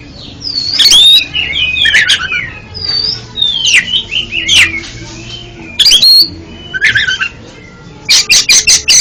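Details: Oriental magpie-robin song for training a bird that stutters in its singing: loud sweeping whistles and slurred warbles broken by harsh scratchy bursts, ending in a quick run of sharp repeated notes.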